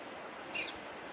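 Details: Orange-breasted sunbird giving a single brief, high, thin note, a sharp tick-like chip lasting a split second against a quiet background hiss.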